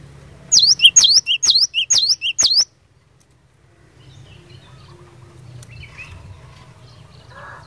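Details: Cinereous tit (glatik batu) singing a gacor fighter song meant to provoke other birds into answering: five quick two-part phrases, a sharp high swooping note then a short lower one, over about two seconds, followed by quiet low hum.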